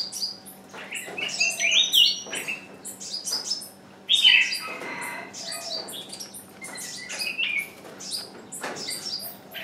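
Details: Decoy bird keeps calling to draw in wild birds, without success; quick falling chirps come in irregular bursts, with louder harsh notes around the second and fourth seconds amid steady background chatter.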